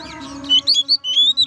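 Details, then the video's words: Oriental magpie-robin, ngeplong style, used to rile other magpie-robins into song. Several clear high whistles, some rising and some sustained, sound over a steady low tonal hum. "suara kacer ngeplong untuk memancing kacer laen emosi dan gacor"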